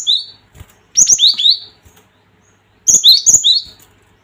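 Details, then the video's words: Gelatik batu bait call to make rivals emotional and sing: repeated groups of shrill, high downslurred notes, about three per burst, two main bursts roughly two seconds apart. "Suara Gelatik ini bikin emosi gelatik batu Mental Petaraung"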